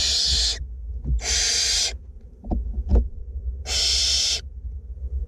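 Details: Two barn owl chicks being fed in a nest box in north Glasgow give long, harsh hissing screeches, three broad rasping bursts about a second each, with soft thumps and rustling between them.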